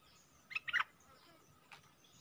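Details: Streak-eared bulbul, a caged decoy bird calling to wild birds that circle but will not come down: a quick cluster of short, harsh chirps, then one fainter note after a pause, over quiet background hiss.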